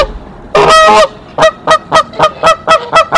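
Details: Mother goose on her nest at Decorah sounding the alarm to call the father goose, 27 March 2023, nest camera: one long loud drawn-out honk, then a quick series of short honks about four per second.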